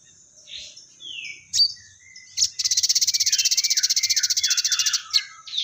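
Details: Crested jay, the bird locally called sogon, chattering freely with a repertoire full of fighting-sparrow sounds: scattered sharp chirps and a descending whistle, then a loud, even, buzzy rattle of rapid pulses lasting nearly three seconds, over a steady high hiss.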